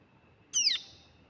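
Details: Pale-billed flowerpecker baby gives a single sharp, piercing high note that slides downward, briefly ringing before fading into a faint steady background hum.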